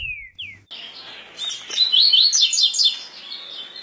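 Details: Brown-plumaged (pardo) double-collared seedeater singing the 'tui tui' song type: two falling slurred whistles open, then a rapid burst of high zigzag chirping notes lasting about a second and a half before fading.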